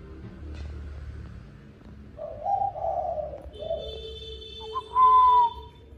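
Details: Spotted dove cooing in the evening at feeding time: a few soft, low, hollow coos in the middle, followed by a sharp, steady whistled tone near the end, all over a background of low rumbling noise.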